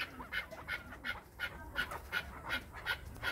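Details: A chukar partridge from Krasnoyarsk, encouraged by its keeper, repeats harsh clucking notes about nine times in just over three seconds, in a regular, driving rhythm.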